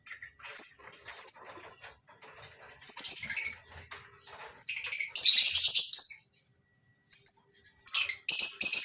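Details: Morning chorus of lovebirds, including masked and Fischer's lovebirds, in a breeding farm's mini colony aviary; dense, harsh high chirping from many birds with a loud sustained screechy burst midway, then sharp repeated squeaks.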